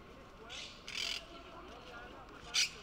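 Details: Monk parakeet, introduced from South America and living in Barcelona, Spain: a few short, harsh, scratchy squawks in quick succession, the last one loud and abrupt, with faint city background noise.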